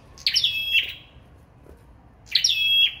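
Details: Sâu đầu đỏ singing in competition: two bright whistled phrases, each opening with sharp high notes that drop onto a long, steady, piercing tone, separated by about two seconds of quiet.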